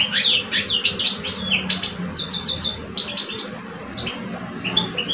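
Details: Algerian European goldfinches, two caged males (an old bird and a two-year-old), duelling in song: fast jangling twitters and buzzy trills tumbling over each other, then softer scattered chirps.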